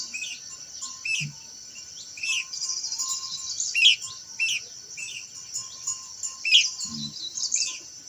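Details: Blue-winged minla singing a series of short rising chirps, repeated roughly every one to two seconds, with a constant shrill insect hum behind and a couple of soft low thumps.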